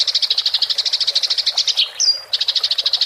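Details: Fighting Eurasian tree sparrow giving a clear rolling chatter meant for training songbirds. A fast, even stream of high chirps runs throughout, broken once by a brief thin whistle before the rapid chirping resumes.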